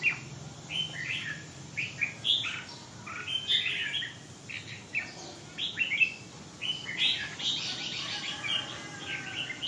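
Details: Red-whiskered bulbul singing short, liquid chirped phrases repeated roughly every second, each a quick cluster of bright notes, over a steady low background hum.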